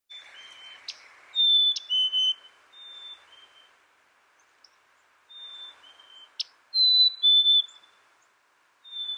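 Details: Black-capped chickadee singing clear whistled two-note phrases, a higher note sliding to a lower one, given in pairs with pauses. A soft low hiss runs underneath, and a few faint chirps appear.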